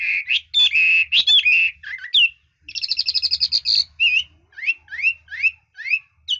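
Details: Red-whiskered bulbul with skilled, varied singing: rich whistled phrases, a quick buzzy trill, then a string of short upslurred chirps repeated at a steady pace.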